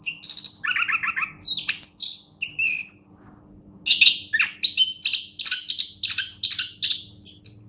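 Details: Orange-headed thrush of champion standard sings buzzy trills and high chips, pauses about a second, then resumes with rapid, evenly paced sharp notes; low hum throughout.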